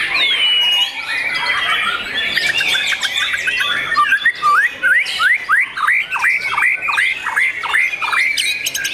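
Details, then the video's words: Young owned white-rumped shama singing a varied opening of whistles and chatter, then a steady series of repeated falling slurred notes, about two or three per second, loud and clear. "MURAI BATU PRESTIS SI MURAI MUDA YANG SPESIAL!!!"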